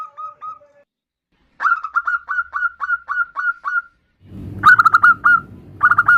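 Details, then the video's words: Female zebra dove calling for a male with the nutut call: a few quick notes, a pause, then a string of even, short, rising notes about four per second, ending in denser bursts over low rumbling noise. "Suara perkutut betina memanggil jantan Nutut"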